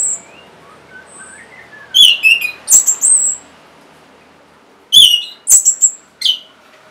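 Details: Caged orange-headed thrush song for prompting birds to sing: scattered bursts of piercing whistles and short chirps at a moderate volume, with long gaps in between and faint, softer whistles in the background.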